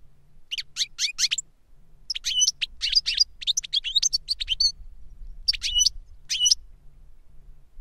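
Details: An older goldfinch sings to teach a younger goldfinch, clean bursts of rapid high twittering and chirps with brief gaps, little background noise.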